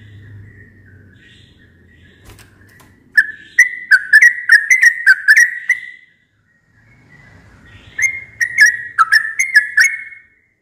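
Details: Dawn song of a sooty-headed bulbul: two bubbly phrases of rapid, wavering whistled notes, about three seconds each, separated by a short silence. A low rumbling hum runs under the quieter stretches.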